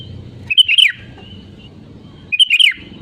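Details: Sooty-headed bulbul, played as a lure to make other bulbuls sing: two short, bright, liquid phrases of a few tumbling notes, nearly two seconds apart, over a low rumble.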